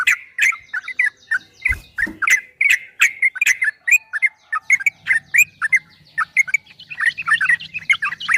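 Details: Yellow-vented bulbul singing a rapid 'ropel' song for training caged birds: a steady stream of short, liquid chirping notes, briefly broken by a low knock near two seconds, with a faint low hum later.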